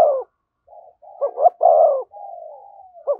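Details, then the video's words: Thúc gù calling by a spotted dove next to a decoy bird. A coo fades out, then soft wavering notes lead into two sharp hoots and a long, full coo. A drawn-out, gently falling murmur follows, then another hoot. "Tiếng chim cu gáy THÚC GÙ giọng hay với sát bổi"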